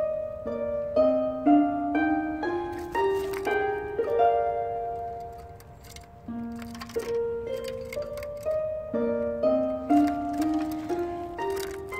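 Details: Only plucked harp-like music with repeated stepping notes is heard, with no animal sounds.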